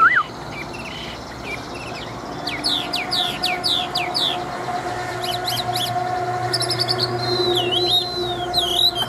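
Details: Big wild-caught adult Chinese hwamei, a fighting bird with a forest voice. After a quiet start, rapid steep whistled slurs come in bursts, ending in a drawn-out wavering whistle, over a low steady hum.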